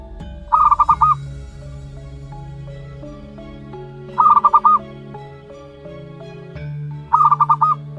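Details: Young zebra dove, aged one month, of local natural stock: three short bursts of four or five rapid rounded pulses, spaced about three seconds apart, over a steady droning background.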